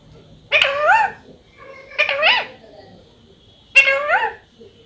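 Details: Pet talking parrot said to say 'mummy', producing three short, two-syllable, speech-like utterances with rising and falling tone, about one and a half seconds apart, in a quiet room.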